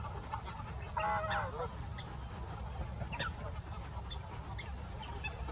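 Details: Greater white-fronted geese at Salford Priors gravel pits on 9 January 2021: a cluster of yelping, harmonic calls near the one-second mark, then scattered fainter distant calls, all over a steady low rumble.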